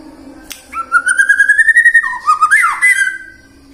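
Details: Prompting song of the white-rumped shama, meant to make birds sing morning, midday and afternoon: a long, slowly rising whistle, then lower wavering notes and a quick up-and-down flourish.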